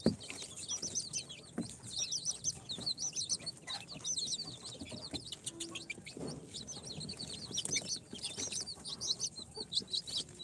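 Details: Incubator-hatched chicks on day four, a mix of Sultan, Golden Sebright, Cochin and booted breeds, peeping nonstop as a flock: dense high, thin, wavering cheeps overlapping continuously, with soft shuffling underneath.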